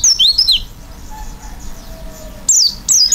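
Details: Oriental white-eye singing vigorously in the filled-in style: a short burst of high sliding whistles, then a quiet pause, then two more bright descending whistled phrases at the end.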